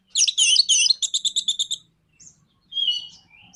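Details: Orange-headed thrush song used to provoke other birds into singing: a fast burst of buzzy, rattling notes followed by a run of evenly spaced chipping notes, then brief high whistled phrases.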